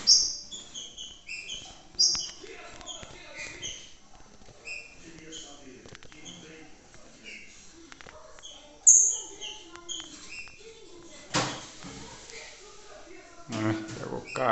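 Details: Green-winged saltator kept with a female, giving a long run of short whistled and chirped notes with occasional louder bursts. Harsh broadband noise cuts in near the end.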